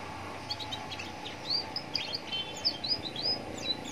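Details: Young Atlantic canary singing at a roadside to draw answers from other canaries; scattered high chirps and short upward-sweeping whistles, fairly soft, set against a constant background hum of traffic.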